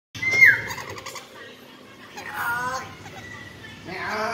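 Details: Common hill myna over one year old that talks a lot and very clearly: a sharp whistled note falling at the start, then quieter voice-like syllables and a further burst of talking toward the end.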